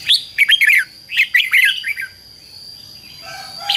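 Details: Red-whiskered bulbul song used to call wild birds and excite a decoy bird: two quick bursts of bright, slurred, warbling notes in the first two seconds, over a steady thin high whine, with a short low tone near the end.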